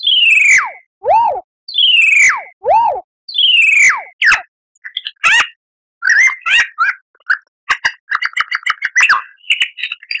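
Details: Master recording of lyrebird song for cage birds: three loud falling whistles, each answered by a lower arched note, then scattered chips and a fast, stuttering chatter of short repeated notes.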